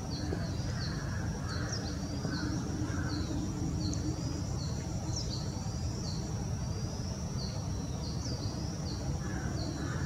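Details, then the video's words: A Bay-backed shrike gives a steady run of short, high, downslurred notes, two or three a second, over a thin insect hiss and low wind rumble. "Bay backed Shrike"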